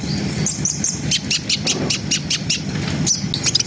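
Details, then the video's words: Brown-throated sunbird in full lively song of the ngriwik-ngerol kind, used to stir breeding arousal: a string of high, sharp chips evenly spaced about five per second, with bright whistled notes at the start and end, over low background rumble. "SUARA KONIN GACOR NGRIWIK NGEROL SAMBUNG NEMBAK !! COCOK BUAT NAIKNA BIRAHI BAHAN"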